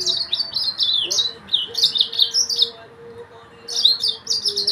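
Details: Yellow-fronted canary song from Mozambique: rapid bursts of bright, warbling, slurred whistles and trills, phrases broken by short pauses, with a faint low steady hum underneath.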